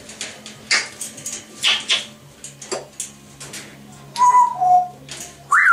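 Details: Two pet grey parrots chattering and whistling: a run of short, dry clicking and rasping bursts, then two clear mid-pitched whistled notes near the end and a final sharply rising whistle.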